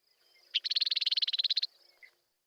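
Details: A female Western Meadowlark gives her rattle call, a dry chatter of about sixteen rapid, even notes in just over a second, then a faint short note; in fields, females respond with this rattle to singing males.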